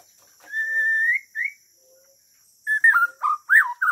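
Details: White-rumped shama (Copsychus malabaricus) of Borneo sings clear whistles near one pitch, a long sustained note rising at the end, then quick varied slurred phrases, over a faint steady high hiss.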